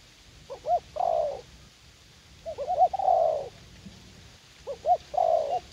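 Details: Cooing of a spotted dove at a garden decoy site in U Minh, a young wild bird eager to fight; three phrases, each a few quick rising hoots and a long, sliding coo, separated by brief pauses.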